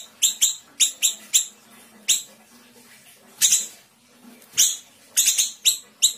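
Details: Small Sumatran siri-siri cage bird in the 'tembakan rapat' style: scattered bursts of sharp, high, piercing chirps, singly or in quick pairs, separated by pauses of up to a second and a half over a faint low hum.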